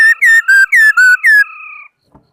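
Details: Laughingthrush singing, recorded 2018: six rapid, loud whistled notes, each slurring downward, delivered in a little over a second, fading into a steady two-toned hum.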